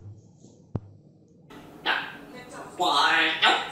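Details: A pet grey parrot indoors during heavy rain gives short voiced, speech-like utterances with harmonic bands, likely saying "ого" ("wow"), preceded by a sharp click in a quiet room.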